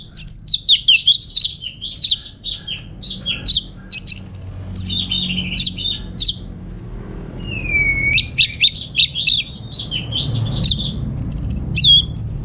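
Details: Caged orange-headed thrush from Singaraja, North Bali, singing to spur and teach other songbirds. Rapid, varied warbling with quick rising and falling whistles, sharp high notes in fast bursts, a brief pause, then a sweeping whistle and renewed busy phrases.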